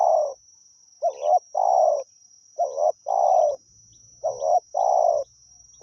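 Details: Spotted dove from the wild, lured by a decoy, gives rough coo phrases: a doubled short note then a long buzzy coo, repeated roughly every one and a half seconds. A faint low hum and high whine accompany.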